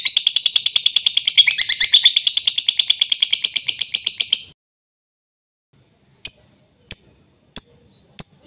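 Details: Lovebird song used as a lure to provoke a silent lovebird into singing: a fast, buzzy, high chattering trill of rapid chirps for about four seconds, then a pause and four sharp, separate chips spaced roughly half a second apart.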